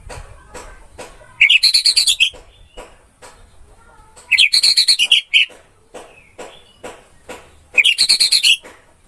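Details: Orange-headed thrush heard in a masteran recording, giving three similar loud bursts of rapid, high, chattering notes about three seconds apart, with faint clicks between phrases.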